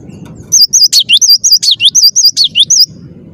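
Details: Gelatik batu, the cinereous tit, gives a clear, insistent phrase of about a dozen rapid, bright, rolling whistled notes with occasional sharp falling strokes, lasting over two seconds against soft low hum.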